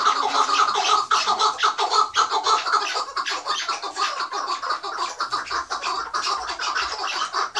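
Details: Chukar partridges recorded in 2018 at Mazıdağı, Mardin, giving harsh, rasping chuck notes in a steady rhythm, about two per second, overlapping into a dense, continuous chatter.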